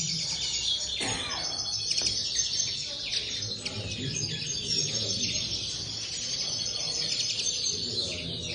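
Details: Common linnet chorus in an aviary: a fast, scratchy high twittering that runs throughout, with a couple of sharp clicks early on.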